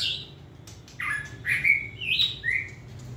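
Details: White-rumped shama, a tame caged competition singer, gives a few short, sweet whistled notes, some slurring upward, separated by brief pauses.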